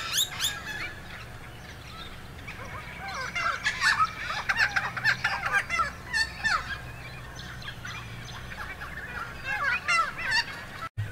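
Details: Noisy friarbirds recorded on 26 September 2022 at Spring Mountain in Logan, Queensland, giving loud harsh cackling and gobbling notes in bursts with several birds overlapping, plus other chirps in the background.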